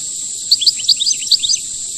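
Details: Brief burst of European goldfinch khelwii song, described as rare: a quick sequence of clear, liquid twittering notes, some dipping down, set against a steady shrill background tone.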